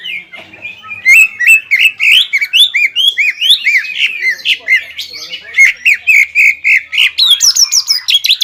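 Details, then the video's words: Greater green leafbird singing hard to provoke a rival: a continuous stream of rapid curved whistles and chirps with sharp clicking accents, varied and rich, barely pausing for eight seconds. "CUCAK IJO GACOR INI MAMPU MEMANCING EMOSI CUCAK IJO LAWAN"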